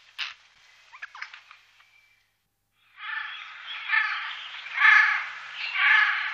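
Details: Eurasian jay in daytime: a few faint ticks and clicks, a brief silence, then a long, harsh, grating screech that swells louder in waves.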